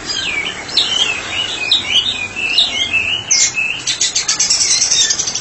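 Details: White-rumped shama in ngeplong singing, kept as a therapy specialist: looping whistled slurs and quick warbles, then a fast run of dry, ticking rattle notes at the end.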